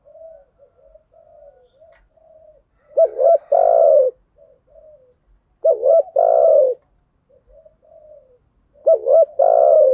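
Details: Spotted dove lure recording of male and female birds, used to stir decoy doves, in thúc gù and gáy gọi styles: soft low murmuring coos, then loud paired coos with a long, strong final note every three seconds.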